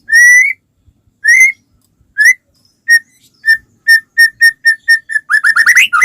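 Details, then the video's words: White-rumped shama song played to get other shamas singing: clear, pure whistles, first slow and spaced about a second apart, then quickening into short repeated notes and a brief rising flourish. "suara burung murai batu gacor sangat cocok buat pancingan murai batu agar cepat bunyi ikut gacor"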